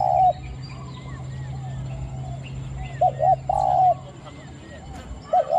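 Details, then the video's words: Spotted dove used as a decoy in the morning to lure wild doves gives short, mellow, hollow coos in spaced bursts; faint chirps from other small birds and a low hum behind. "ต่อนกเขาใหญ่ | หมาย3 กุก/คูอ่างตลอด | เสียงเล็กคูอ่าง หนุนอ่าง เสี้ยนสอ"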